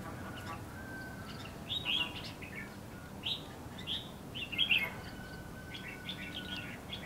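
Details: Red-whiskered bulbul used as a decoy near a trap set in bushes at Lương Sơn, Hòa Bình, singing to lure wild birds; short bright whistled phrases in scattered bursts over a steady low hum and a faint continuous tone.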